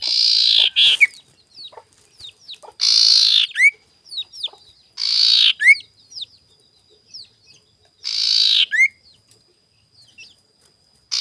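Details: Morning lure song of a sirtu, used to provoke rival birds: loud harsh rasping bursts recur every two to three seconds, each ending in a short rising chip, with soft ticking notes between them.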